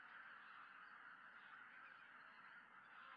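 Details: A large flock of greater white-fronted geese returning together in the evening to a lake in Tohoku, Japan, in early December, gives a steady, dense chorus of overlapping high, yelping honks while a peregrine falcon watches.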